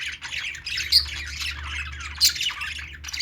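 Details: Budgies chatter in steady scratchy warbling, two loud sharp squeaks ringing out about a second apart, with a faint low hum underneath.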